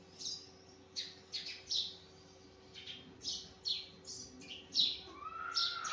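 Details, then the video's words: A sparrow chirps busily in the morning, giving a rapid series of high, slurred chirps about twice a second. A rising whistled note enters near the end. "Sparrow chirping"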